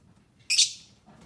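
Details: Lovebird giving a single short, sharp, high chirp that drops off quickly, followed by faint low murmurs in a quiet room.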